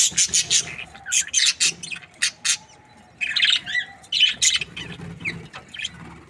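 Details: Happy Australian budgie breeding pair producing quick high chirps and squawky notes in short clusters, broken by a brief lull before further twittering.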